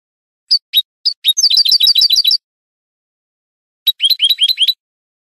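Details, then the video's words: Goldfinch training song for cage birds, Spanish style: a few separate sharp chirps lead into a fast, tinkling twitter, a pause of over a second, then another brisk run of high liquid notes. "شريط لغة الحسون الإسباني"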